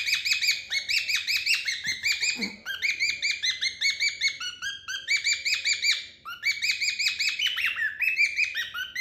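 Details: Playful banter between two cockatiels kept as pets: continuous dense chirping, many bright, rasping notes tumbling over each other for nine seconds with only brief gaps, a faint hum in the background.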